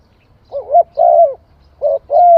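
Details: Spotted dove from Cambodia giving clear, loud coos around mid pitch, two wavering coos followed by two more, the last drawn out and gliding down, over a quiet background.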